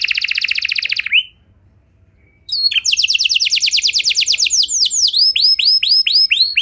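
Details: Lure song of a canary, meant to make other canaries join in: a dense buzzy trill, a silent gap over a second long, then a long fast series of notes shifting into curved, bouncing chirps.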